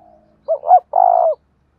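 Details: Đồng thổ voice coo of a spotted dove: two quick hollow notes, the second swelling higher, then a longer steady vibrating hoot, one clean phrase in quiet surroundings.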